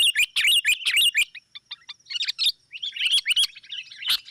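Sooty-headed bulbul giving fast bursts of bright, high chirps and chattering notes, with brief pauses between flurries.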